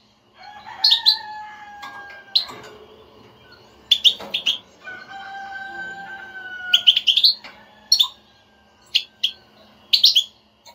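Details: Stirring goldfinch twitter (butbuta) meant to get a silent European goldfinch to sing: scattered high chirp bursts mixed with long, even, lower whistled notes held for a second or more.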